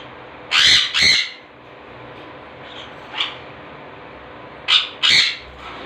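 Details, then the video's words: Blue and green-cheeked conures giving harsh, grating squawks: a close pair of loud bursts, a softer one near the middle, then another doubled pair at the end, over a steady indoor hum. "Blue and Green Cheek Conures"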